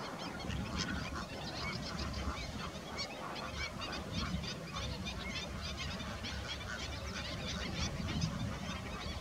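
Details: Crowded chorus of Greater flamingos, many birds honking and chattering at once in a steady goose-like babble that rises slightly toward the end.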